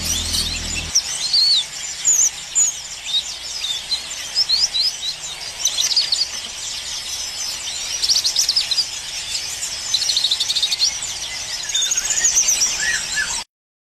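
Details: Cucak kinoi, the yellow-vented bulbul, delivers a continuous trotol song: bursts of quick, high, scratchy chirps and trills pour out in rapid runs, loud and sustained, with a faint low rumble under the first second.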